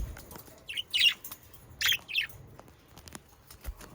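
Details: Budgerigars recorded in the Den Haag region of the Netherlands utter two short groups of rasping, warbled chirps, then softer faint ticks, with quiet pauses between.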